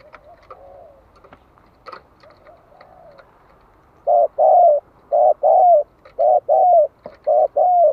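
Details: Decoy spotted dove calling to rouse other doves into song: soft, faint coos and a few clicks at first, then a loud, steady series of deep, hollow paired coos about once a second.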